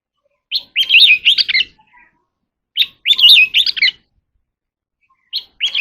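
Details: Oriental magpie-robin singing in a contest, delivering the same fast phrase of looping whistles and harsh chattering notes about every two and a half seconds, twice in full and a third beginning at the end, with silence between phrases.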